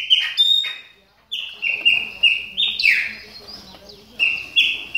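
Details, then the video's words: Chopi blackbird in moult warming up, a brief opening whistle, a pause, then a string of level whistles and a louder swooping note, ending with paired whistles. "CHAMADOS DE PÁSSARO PRETOS AQUECENDO NA MUDA !"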